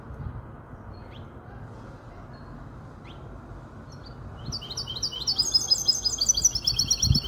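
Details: Five-month-old goldfinch hybrid from a Malaga hen, Casablanca, Morocco: quiet at first, then high, rapid twittering song starts after four seconds, a quick run of repeated sharp buzzy notes over low room hum.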